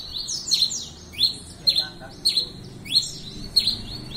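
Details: Red-crested finch (tico-tico-rei-cinza) in lively song, giving sharp, high, descending chirped notes in quick bursts, roughly one or two phrases per second, over a soft low rumble.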